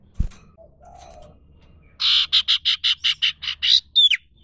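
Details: Common iora recorded in the wild, singing a quick regular string of about ten buzzy, harsh notes, closed by one sharp falling whistle, after a soft cooing note and a thud.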